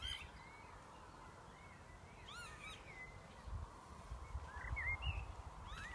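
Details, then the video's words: Northern lapwings calling in the Cheshire countryside at Lower Withington, England: faint, scattered slurred wheezy notes that rise and fall, heard over a steady low rumble of wind and background noise. "Lapwings calling in the Cheshire countryside"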